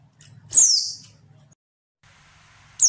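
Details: Female oriental white-eye call, used to stir reluctant males into song. A loud, thin, high note slides steeply downward, followed by quiet, then the start of another high note at the end.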